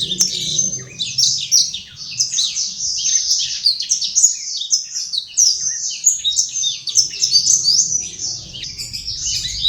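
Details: An imported black-throated canary at Legian Kelod, Kuta, Bali, sings nonstop in its original song: a fast, high, twittering stream of short chirps and trills, with a faint low hum underneath.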